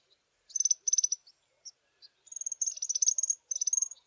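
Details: African firefinches, a small group sitting in the sun on a chilly South African morning: two short high rattles, isolated chips, then a run of overlapping high trilled phrases.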